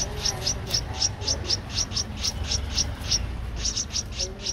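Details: Streak-eared bulbul nestling, 12 days old, Ubon Ratchathani, Thailand, 14 April 2023: evenly repeated sharp high chirps, about four per second, clear over a quiet low background.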